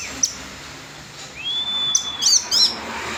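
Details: Orange-headed thrush singing loudly and clearly, a long level whistle followed by quick high chattering notes, with faint background hum.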